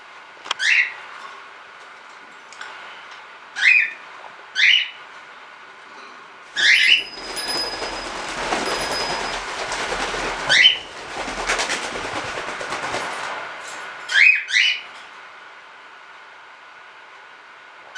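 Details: Cockatiels flying in the evening give short, shrill, warbling whistled calls, one or two at a time, every few seconds.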